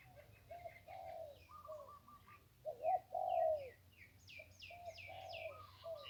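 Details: Zebra dove singing beside the Ping River. Repeated phrases of rolling, bubbling coos come about every second, with a louder burst in the middle. Chirping and twittering from other small birds fill the background.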